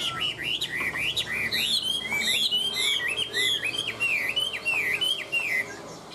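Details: A Chinese hwamei from Vietnam, praised for singing without stopping, pours out a continuous flowing song of bright whistled notes, sliding up and down in quick succession.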